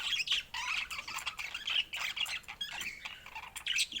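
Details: Pet budgerigars give rapid chirps and squeaky warbled notes in short clustered phrases, with a few higher squeals.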